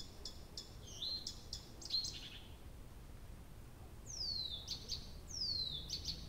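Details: A nightingale sings all night at Abramtsevo in early June 2021: a run of dry clicks and a short rising note, a pause, then two long descending whistles each ending in clicks, against faint low noise.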